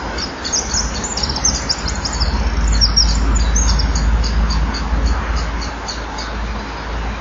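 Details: Eurasian wren singing for some time from a hole in the middle of an artificial nesting wall, recorded at 18:29 on 11 October 2011 by a wall camera; rapid series of thin, very high twittering notes over a steady low rumbling hum.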